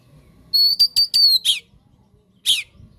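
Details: Kacer (Oriental magpie-robin) singing, used as masteran and pancingan: a few bright whistled notes in quick succession, followed by two harsh, scratchy bursts about a second apart over faint low background noise.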